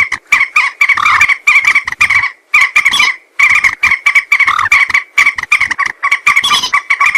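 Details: Common moorhen lure calls for hunting, a steady stream of loud, rough, squawking notes in short groups with brief gaps, and nothing else heard.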